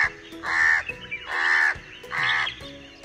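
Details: A house crow, a scavenger of human habitation and cultivation in India, gives three harsh, nasal caws about a second apart, each a drawn-out rasping note, over a faint background hum.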